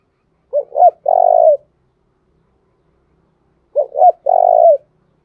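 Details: Decoy spotted dove calling to lure wild doves into calling back. Two loud phrases about three seconds apart, each two short hoarse coos followed by a long rolling, vibrating coo, in a quiet setting.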